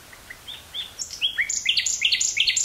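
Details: Common nightingale, Dutch woodland near Burgh-Haamstede, recorded 18 May 1983 on cassette: soft piping notes swell into loud, fast, varied chattering phrases climbing in pitch.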